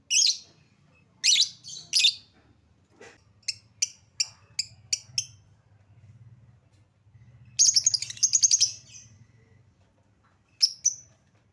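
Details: Lovebird lure sound used to prompt quiet birds to sing: scattered piercing squeaks, a run of short sharp ticks, then a fast buzzy trill and a final high squeak over low background rumble.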